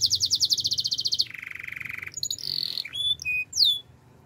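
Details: Canary song played for training canaries: a fast bright trill of rapid repeated notes, then a lower buzzy rolling trill, ending in scattered whistled notes and sharp downward-sweeping whistles.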